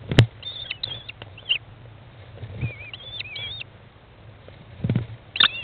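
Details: At a nest box on 20 May 2011, 13:54, an American kestrel mother feeds her chicks at day 15; faint wavering whistles rise and dip in several short strings, with soft thuds, shuffling and a steady low hum.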